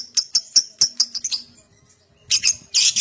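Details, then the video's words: Lovebird sound meant to prompt other lovebirds to ngekek: a run of sharp, high chirps quickening then fading, a short pause, then harsh, rasping screeches. "Pancingan Love Bird Agar Cepat Ngekek"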